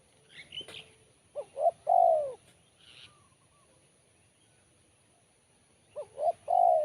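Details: Sharp, crisp-voiced spotted dove cooing in two phrases, each a quick pair of short hoots followed by a long falling coo, with brief chirps from another bird between them.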